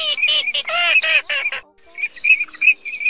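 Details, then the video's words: Cotton pygmy goose calls, male and female, used as a lure for night net trapping of migrating birds, August 2024 season: nasal, harmonic cackling notes in a fast burst, then a run of thin whistled notes after a short pause. "Tiếng Mồng Két Bẫy Lưới Đêm CHIM DI CƯ VỤ 2024 , Tiếng két cá , két cánh xanh bẫy lưới đêm"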